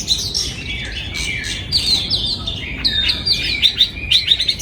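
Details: Oriental magpie-robin in a breeding aviary, 2022: flowing whistled song made of long, gliding notes and quick twittering, steady and melodious throughout.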